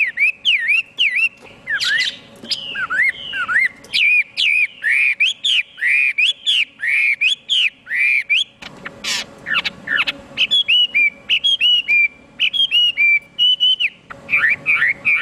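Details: Long, varied outpouring from a Chinese hwamei: dense chains of swooping whistles, rolling phrases and occasional harsh squawky notes, the pace quickening into rapid, stuttering repeated notes toward the end.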